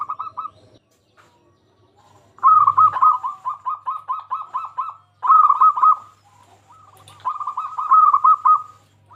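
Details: Local zebra dove song meant to draw other zebra doves into singing: a short coo, a pause, then long rapid rolling trills of soft cooing notes, repeated in three phrases.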